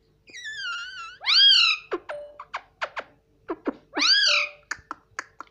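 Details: Ringneck parrot at home, said to talk "mummy papa": a long wavering tone leading into a loud swooping syllable, a string of sharp clicks, then another arched call and more clicks.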